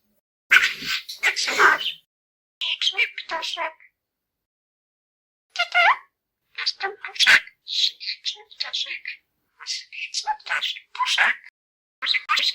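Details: A budgerigar named Puszek, a Polish talking-bird championship entrant, chatters high, scratchy imitations of Polish words in quick bursts, such as "cześć", "jak się masz", "dzień dobry".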